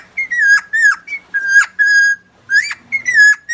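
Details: Lure recording of a helmeted friarbird (cucak timor, koak kaok) from Nusa Tenggara: loud, ringing notes that fall or hook upward, given in uneven bursts with short gaps, and a faint low hum under some notes.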